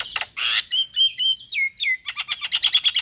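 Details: Male black-winged starling singing in the morning, as a lure and tutor song for other starlings: harsh bursts, then clear level and falling whistles, ending in a rapid rattling series of notes.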